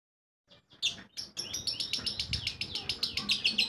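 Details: Lovebird singing in the ngekek style. Scattered chips build into a long, steady run of shrill chattering notes repeated several times per second, continuing to the end.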